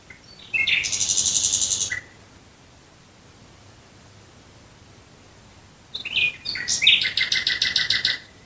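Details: Nightingale heard at night near Dresden: a rapid buzzing rattle lasting over a second, several seconds of silence, then a jumble of sharp notes and a fast repeated pulsing trill.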